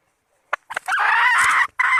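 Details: Hen red junglefowl, used as a lure for calling males: a sharp click, a couple of quick notes, then one long hoarse, buzzy cry and a short final squawk, all against a quiet background.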